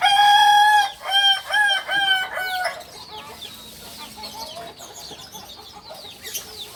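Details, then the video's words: Kukuak balenggek rooster, a purebred from Solok, West Sumatra, crowing: a long harmonic opening note followed by a rapid run of stepped, stuttering syllables, then quieter chirps and background noise. "Ayam kukuak balenggek asli solok sumbar"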